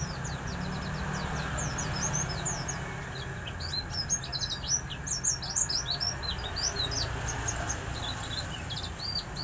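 A white-eye sings a rapid stream of high, thin chirps and twittering notes, with other small birds and steady low rumbling noise behind.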